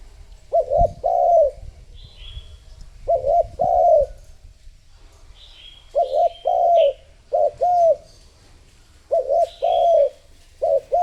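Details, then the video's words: Decoy spotted dove used to attract others, repeating about twelve low coos in clustered pairs and triplets at an urgent pace, with faint high chirps of other birds between phrases. "Cu gáy mồi thúc gù gọi bổi / Suara Burung Tekukur Gacor"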